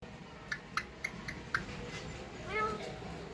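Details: An Alexandrine parrot couple kissing each other: a quick run of four or five sharp kissing smacks, then a short voiced, word-like squawk like "Mithu", over a steady indoor hiss.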